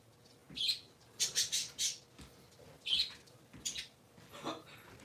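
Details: Indoors on a Sunday morning, three pet parakeets give irregular harsh chirps in small groups of one to three notes, some scratchy and some brighter, over soft room noise.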